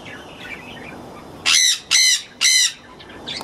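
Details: Screaming Jenday conures give three loud, grating squawks in quick succession about half a second apart, preceded by soft chattering and ending with a brief fainter screech.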